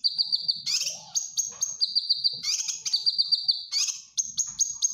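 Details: Cucak kinoy bulbul singing energetically as master song for caged birds: dense high trills interrupted by loud rasping bursts and sharp whistled notes, with soft low murmuring in the background.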